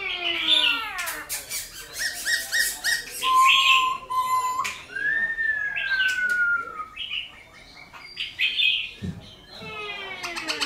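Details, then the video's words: Silver-eared laughingthrush song played to stimulate captive birds to sing; varied phrases of bright chirps, harsh buzzy notes and long clear whistles, one steady and one gently falling, with brief pauses. "Khướu Hót giọng rừng kích khướu bổi,luyện khướu bổi hót nhanh căng lửa"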